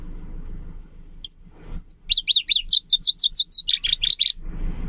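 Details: Leaf warbler singing, its song likened to a babbling brook, clear and pleasant: a quick run of high, sweet, slurred whistled notes, rising then falling in rapid succession for about three seconds, over faint low background hum.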